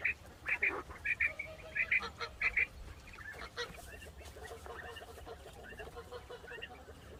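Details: Penned quail scratching about after their pen was cleaned and given fresh bedding: paired squeaky chirps repeated about every half second at first, then quieter muttering calls over rustling.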